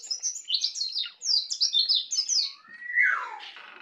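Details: Bali white-eye, young and captive, practising ngeplong song: a fast sequence of about a dozen very high chirped notes, then a strong whistle sliding down in pitch.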